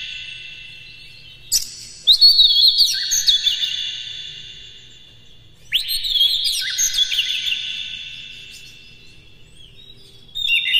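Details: Captive Oriental magpie-robin singing in the morning as a lure to stimulate other birds. Two long, flowing whistled phrases follow sharp clicks, and a third phrase begins at the end.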